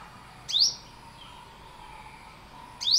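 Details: Single piercing upward-sweeping chirp from an Olive-backed Sunbird, followed by a quiet pause with a low steady hum, and a second chirp beginning at the end.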